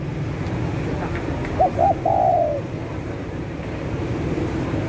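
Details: Spotted dove cooing used to lure birds: a single phrase of two quick short coos followed by a longer falling coo, set against a low, noisy rumbling background.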